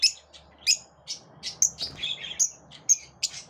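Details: Lovebirds in a group pushing each other away give scattered, shrill chirps and short squawks, some clipped and whistled, spaced irregularly about half a second apart.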